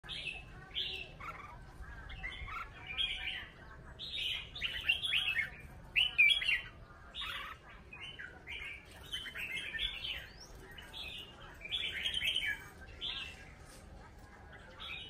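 Red-whiskered bulbul giving bright, bubbly warbled phrases that run almost without pause, each a quick burst of liquid notes; a faint background hum underneath.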